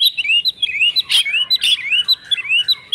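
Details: Oriental magpie-robin singing an agitated fighting song: rapid upslurred whistles in quick succession, broken by two loud harsh bursts.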